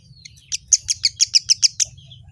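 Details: Kemade delivering a fast, evenly spaced series of about nine loud, piercing high chips over roughly a second and a half, above a faint low hum.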